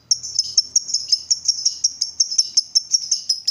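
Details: Lovebird, provoked into excited calling: a fast, steady stream of sharp, high chirps repeated about three times a second for the whole stretch, with no other sounds.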